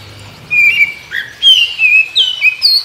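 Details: An Oriental magpie-robin sings in the morning in reply to others of its kind. It gives sharp, high whistles that slur up and down in rapid succession, clear against a quiet background.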